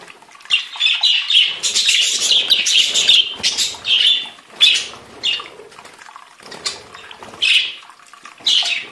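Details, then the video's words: Several budgerigars sing together in lively, raspy warbling. Chirps and squeaky notes come in quick bursts, well over one per second, and the chatter is denser early on before it breaks into separate loud squawky phrases. "Chant perruches"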